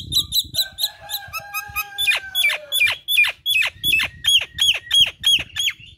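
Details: Chattering 'gacor kemrewek' song of the Nias hill myna: a quick series of crisp high notes, then a steady run of loud downward-swept squawking notes repeated about three times per second.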